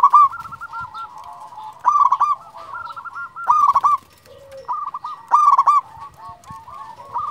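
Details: A local zebra dove known as a chatty champion sings bubbling series of curled coos. Four loud bursts stand out between softer repeated notes.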